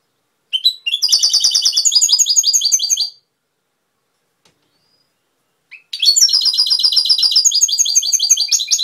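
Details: European goldfinch, Cobia Málaga, giving two long song phrases split by a silent gap of about two and a half seconds; each phrase is a quick, high, jangling chain of twitters and buzzy trills.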